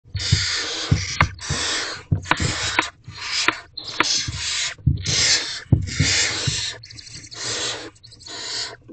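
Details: Barn owl at a nest box in the evening, a male delivering a rodent to the family, female meeting him at the door; harsh broadband hissing screeches in repeated bursts of about half a second, with scuffling and thumps.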